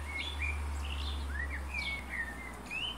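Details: A Eurasian blackbird sings and whistles short, clear notes, some rising and some gently falling, in quick succession over a steady low rumble.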